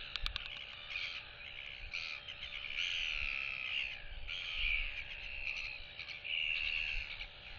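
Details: Royal albatross chick showing off with a display toward two neighbouring chicks, whistling as they clack at it, 8 July 2023; sustained, slightly wavering whistles in several bursts, with a sharp clack at the start.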